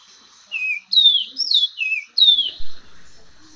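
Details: Song of the Orange-crowned oriole: a run of loud, clear descending whistles and warbled slurs, about five notes in under two seconds, with faint hiss and a soft low thump.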